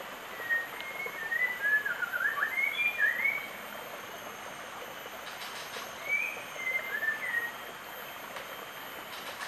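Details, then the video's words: A white-rumped shama gives two bursts of rich, fluting whistled phrases that slur up and down, a few seconds apart, over a steady background hiss. "White Rumped Shama Call"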